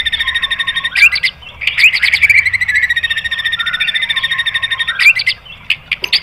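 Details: White-rumped shama song played to stir other birds to sing: dense buzzy, rattling phrases with sharp snapping notes and a low steady whistle, continuous and harsh in tone.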